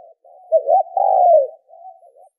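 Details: Spotted dove cooing as a lure for decoy training: soft wavering notes run into a quick double note and a loud, sustained downward coo, then fainter wavering notes trail off.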